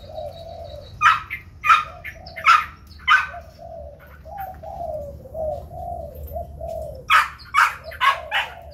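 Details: White Chinese hwamei singing in competition while spreading its wings: loud, bright, ringing notes burst out about every half second, each above a low, wavering, warbled murmur that runs beneath the phrases.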